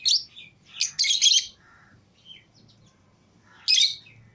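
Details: Several pet lovebirds, including a green Fischer's pair and a lutino pair, freed from the cage with other lovebirds, making loud raspy chirps in quick clusters, then a pause with soft notes and one final burst.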